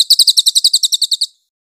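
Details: Brief burst of cililin master song for magpie-robin training: about a dozen quick, high, sharp notes in a tight trill, ending cleanly into silence.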